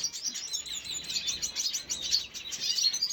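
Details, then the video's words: Red siskin recorded on 5 June 2022: a continuous, dense stream of high, thin twittering and chirping notes, fast and overlapping throughout, with no other clear sounds. "سیسکنی سور red siskin سيسكن أحمر"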